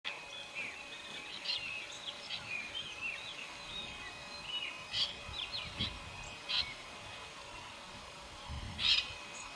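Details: Wild Nanday parakeets in Río Pilcomayo National Park, Formosa, Argentina, July 2017, giving scattered short harsh calls, with a few louder screechy notes standing out over a soft chorus of distant chirps and steady environmental hiss.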